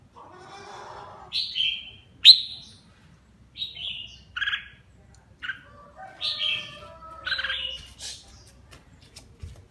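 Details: Red-whiskered bulbul, a caged bird with a mismatched crest type, singing while bathing: short bright downslurred whistled phrases, some rising, given every second or so, with splashing and soft rustling between.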